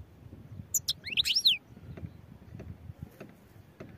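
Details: European goldfinch giving one brief, loud phrase of high, tinkling chirps with sharp rising and falling slides. A soft low background hum continues after it.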